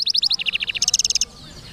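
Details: Black-throated canary song: a fast, even trill of high notes that steps down in pitch, then jumps to a higher, rapid buzzing trill before stopping abruptly, leaving quiet room noise.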